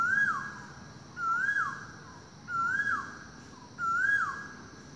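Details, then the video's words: Morning forest recording of an Asian koel: four loud, whistled notes that rise then drop sharply, repeated about every 1.3 seconds over a constant high-pitched insect drone. "บันทึกเสียงนกกาเหว่าในยามเช้า ร้องดังไปทั้งป่า"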